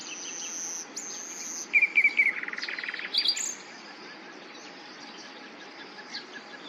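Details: Common nightingale song: a brief burst of loud rapid notes and a fast rattling trill, followed by near silence.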